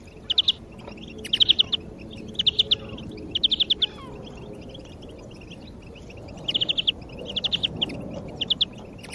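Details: A European greenfinch, played to motivate other birds, repeats compact groups of three to five quick high notes about once a second against a steady low hum of surroundings.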